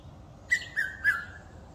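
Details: In a wildlife estate in Eastrand, Johannesburg, South Africa, a red-chested cuckoo (Piet-my-vrou) gives its loud three-note whistle, each note stepping slightly lower, the last drawn out, over a faint low hum.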